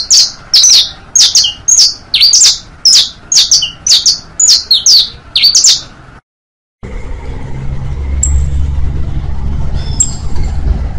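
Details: Saffron finch tutor song in bastos, pintos, finos styles: quick chain of loud falling chirps for six seconds, a brief silence, then traffic-like rumbling with only a couple of faint distant chirps.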